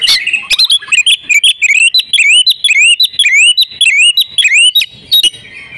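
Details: Female oriental magpie-robin in breeding condition, meant to prompt males to sing, repeats a sweet upslurred whistle with a click-like lead-in, about two per second, in a steady chain.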